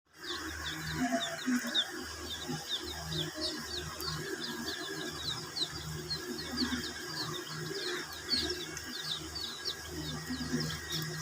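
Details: Many domestic chicks drinking water while kept under heat with veterinary care; a busy chorus of high, thin upswept peeps repeating rapidly over a steady low hum and rustling.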